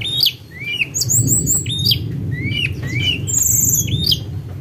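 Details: Lure recording of a tledekan gunung in full song: bright rising whistled slurs repeated every second or so, with a long high sustained note near the end, and a low rumbling background.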